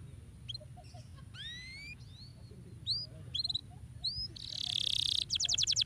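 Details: Canary singing to stimulate other birds to sing: scattered high upward-sweeping chirps and short whistles, ending in a burst of buzzy notes and a rapid run of repeated high notes.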